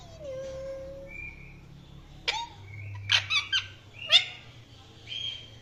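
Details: Indian ringneck parrot chirping. A drawn-out whistle is followed by a cluster of sharp, rasping chirps repeated about once a second, then a thin flat whistle, over a faint low hum.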